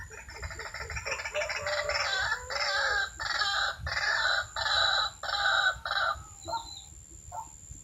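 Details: White-breasted waterhen call played through a loudspeaker as a lure for trapping waterhens with snares and a decoy. Harsh, raspy, broadband croaking bursts repeat about every 0.7 seconds in a rhythmic series that fades toward the end.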